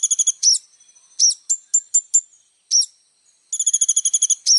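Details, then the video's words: Little spiderhunter in full song, meant for tutoring young birds: quick high trilled bursts broken by loud separate downslurred chips spaced about a quarter second apart, ending in a long rapid rattle. "SUARA BURUNG KOLIBRI NINJA GACOR FULL ISIAN"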